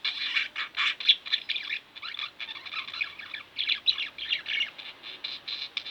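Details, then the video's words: Domestic budgerigars giving a continuous warbling chatter, busy overlapping chirps and buzzy fragments with no real pauses, slightly softer and more tangled than elsewhere. "Budgie Birds Extravaganza-Relax With My Budgies"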